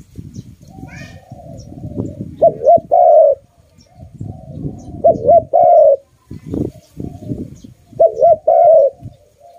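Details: Loud pet dove cooing three times, about every three seconds: a brief wavering double note leading into a longer sliding coo, with low thumping and rustling noise between phrases.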